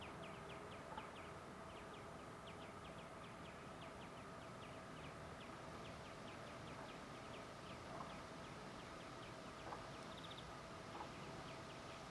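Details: Greenfinch song captured with a Sony HDR-PJ10E camcorder: long run of short, thin, upward-flicked notes repeated evenly several times a second, quiet against constant background hiss and rumble.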